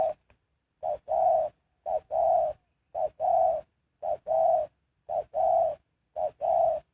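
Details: Spotted dove used as a decoy to lure wild birds, singing a low mellow cooing song: a brief clipped note followed by a longer rounded coo, the pair repeated steadily about once a second, six times, with silence between phrases.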